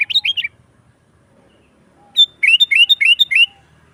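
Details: Lively gacor song of a sooty-headed bulbul for calling wild birds and training caged ones: a short burst of bubbly notes, a pause, then a sharp high note followed by a quick run of six rounded, falling phrases.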